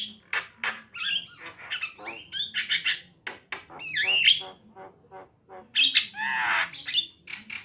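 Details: Javan myna female and male singing, a busy run of harsh chattering bursts, squeaky whistles and rising slurred notes, loud and uneven, with short pauses between phrases.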